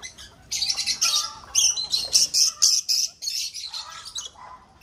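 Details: Lovebirds in a breeding aviary chatter loudly in a fast series of shrill, rasping notes, roughly four a second, fading to softer calls at the end.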